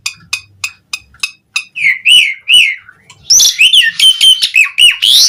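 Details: Asian pied starling lure song in gacor style: quick ticking chips at first, then slurred whistled notes, breaking into a dense burst of loud chattering and whistles.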